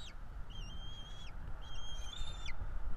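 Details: Bald eagle chicks, two, begging as they are fed in a Florida nest, 5 April 2022; two long wavering whistled notes that rise slightly and drop at the end, over continuous low rumble.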